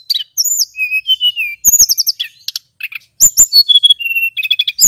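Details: High, thin song from a male Snowy-browed Flycatcher played as a lure to stir other flycatchers: steady whistled notes stepping downward, then clipped rapid chips, a brief gap and another run of level whistles and buzzy trills.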